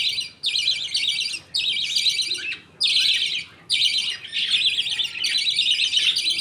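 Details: Budgerigar colony at feeding time, millet paste fed by the father to two chicks while others wait. Harsh chirping in repeated one-second bursts with short quiet gaps, grating and buzzy throughout.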